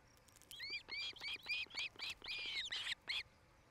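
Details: Osprey on a nest cam in Charlo, Montana, early evening of 8 July 2018, gives a rapid string of about ten bright, slurred whistled chirps, some harsher and broader toward the end.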